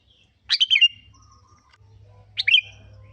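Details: Sooty-headed bulbul lure song meant to prompt other birds to sing: two lively chirping phrases, each a rapid cluster of clear notes, the second shorter, set about two seconds apart above a faint low hum.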